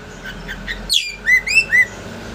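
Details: Oriental magpie-robin song meant to stir a rival bird into spreading its tail: a sharp high note, then three quick rising whistled slurs over a steady background hum.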